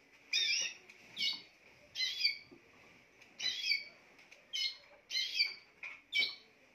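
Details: Spanish timbrado canary song of short, bright, bell-like bursts repeated roughly every half second to second. Each burst carries layered ringing tones with a quiet background.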